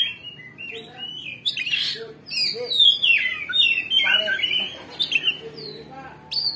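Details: Oriental magpie-robin (kacer) singing ngeplong style with varied fill notes, meant to provoke another kacer to answer and fight; a rich continuous stream of whistled, slurred and buzzy phrases, falling and rising, with harsh squawky notes.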